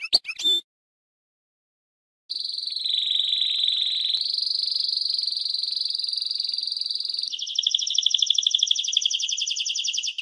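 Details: Canary singing: a short burst, a pause, then long sustained buzzing rolls that shift pitch, ending in fast pulsed trills.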